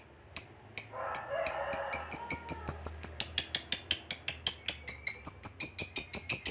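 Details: Lovebird fighter's long trill (ngekek panjang), meant to provoke other lovebirds: a few sharp high chirps, then rapid high notes repeated nearly three times a second and building steadily, with faint low chatter behind.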